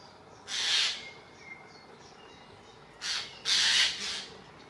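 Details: Eurasian jays harass an eagle owl in Dannenberg (Elbe), Germany, on 31 May 2024; a single harsh screech, silence, then two more rasping cries close together, with faint thin whistles from other birds between.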